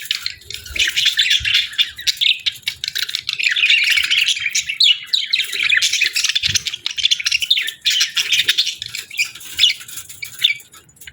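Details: A flock of budgies keeps up a long, dense chorus of squeaky chirps and chattering warbles, with slight dips in volume.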